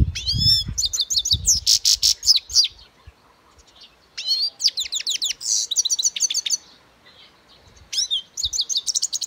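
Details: European goldfinch in song, delivering lively phrases of rapid chirps and liquid trills separated by silent gaps, with a low rumble at the start.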